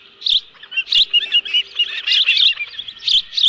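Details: Osprey with a live fish at the Dunrovin Ranch nest, 11 July 2018. Clear, high whistled chirps and short squeals come in quick clusters, with a faint low hum behind them.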